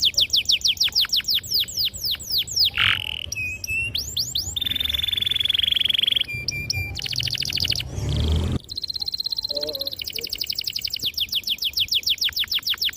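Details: Canary song used as a training lure for young birds: quick descending whistled strokes, a steady ringing roll, buzzy trilled tours, a brief low rustle midway, then long runs of rapid repeated notes.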